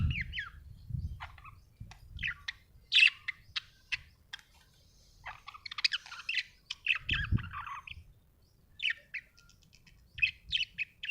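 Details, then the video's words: Happy budgerigar chattering: rapid runs of scratchy chirps, squeaks and warbled notes in busy bursts, with occasional low thumps and knocks. "Happy budgie chirping sound"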